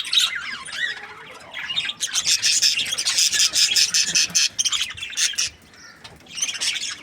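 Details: Happy budgerigars chirping in scratchy warbling bursts and squawks, a dense loud run in the middle fading to quieter chatter before resuming.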